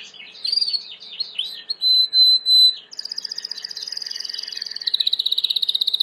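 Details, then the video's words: Timbrado canary singing, a recording for training: curving whistled notes, then a held clear whistle, then fast metallic rolling trills, repeated rapidly at high pitch, with a faint steady hum. "Chant de Canari timbrado / the wonderful sounds of canary bird chirping / canario timbrado cantando"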